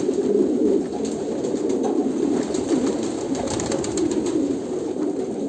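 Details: Several Kolkata pigeons coo together in deep, wavering tones forming a steady drone, with scattered clicking noises.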